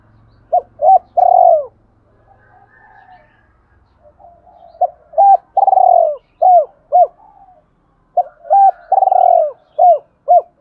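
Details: Spotted dove giving its full cooing song, used to provoke other doves: three bursts of short, low, hollow coos, each with one longer swelling note, separated by brief pauses, with faint soft calls in the background.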